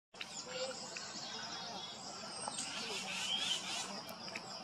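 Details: A Tufted Titmouse nestling awaiting its parents' return on 13 June 2021 gives a continuous high, raspy begging hiss, with a few faint chirps scattered through it.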